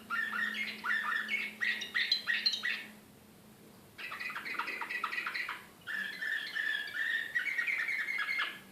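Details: Belgrade canary in the Serbian slavujar style, recorded 2014, pouring out quick repeated chattering notes and rolling trills in long phrases, broken by a silent gap of about a second and a shorter pause, faint low hum present.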